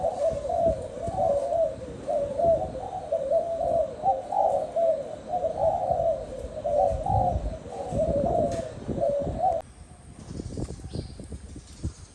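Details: Spotted dove giving a dense series of soft, low, rounded coos, repeated about once a second in an unbroken rolling stream, then stopping abruptly near the end, leaving quieter faint chirps and background noise.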